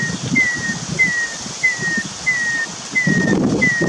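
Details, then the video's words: Wild starling, called cucak keling, in forest. Identical thin whistles, each sliding slightly downward, repeat steadily about every two-thirds of a second. A soft low rumble sits beneath. "Burung cucak keling akhir nya bersuara juga"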